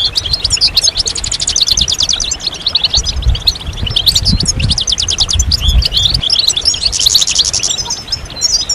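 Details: Collective European goldfinch song aimed at getting males out of moult and singing, with steady streams of rapid, regular trilled notes and bright chirps layered by several birds, low rumbling below.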